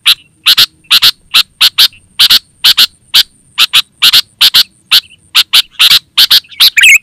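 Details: Lively sooty-headed bulbul, used as a lure call and master song for captive birds: a steady run of harsh chip notes, mostly in pairs about every half second, closing with a bubbly warble.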